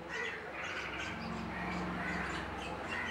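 Harsh, scratchy bulbul chatter runs without a break, with a few brief whistled notes near the start and end over a steady low hum.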